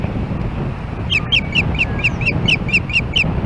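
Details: An osprey calls at the Hellgate Canyon nest in Missoula, Montana, on July 4, 2016, while another osprey approaches: about ten shrill, clipped chirps, evenly spaced about a quarter second apart, over a soft background rumble.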